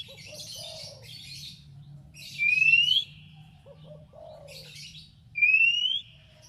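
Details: Oriental magpie-robin song meant to provoke a rival to answer: two bright, upward-sliding whistles about three seconds apart, each preceded by softer scratchy chatter and low warbled notes, with a faint steady low hum underneath.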